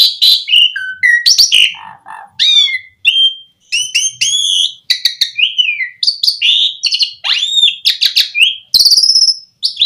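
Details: Asian pied starling song used to lure other starlings into singing: a rapid, varied run of high whistles, rising and falling slurs and sharp clicks with brief harsh bursts and short pauses between phrases.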